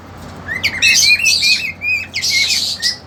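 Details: Caged young cockatiels, a two-month-old female with a male desperate to mate; short rising whistles followed by loud raspy, broadband screeching bursts, then a brief pause and another harsh squawking burst ending in a whistle.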